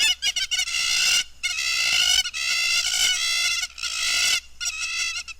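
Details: Several hamerkops in Africa calling together in chorus: long stretches of dense, nasal, overlapping notes that run almost continuously, broken by a few short pauses.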